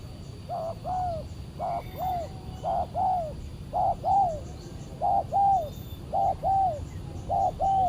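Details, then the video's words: Spotted dove (tekukur) answering a decoy during a Saturday trapping session, an aggressive bird: repeated two-note coos, a short note then a longer slightly falling one, pairs about every second, with steady low background rumble. "PIKAT BURUNG TEKUKUR D GIMBALIN BL SUPER g4Rang"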